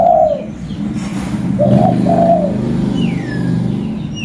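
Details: Local zebra dove recorded in Reului, Pidie, Aceh, as a lure. A vibrating coo opens, followed by a double trilled phrase. Another bird then gives a long, high descending whistle, over low engine-like rumble.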